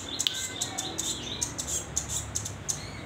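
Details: Juvenile hand-reared velvet-fronted nuthatch practising its voice: evenly spaced high, thin, piercing chips, roughly three per second, over a quiet background.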